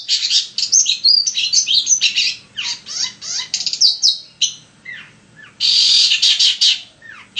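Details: Long-tailed shrike in full, continuous song played to prompt other shrikes to sing: a dense, fast jumble of high chirps, buzzy rasps and sweeping whistled slurs with brief pauses, ending in a loud harsh burst.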